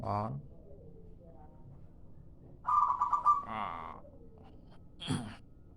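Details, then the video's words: Local zebra dove calling as a lure: a clipped burst of rapid mid-pitched coo notes, then a rougher descending sound, with brief knocks and noises before and after. "suara pikat perkutut lokal"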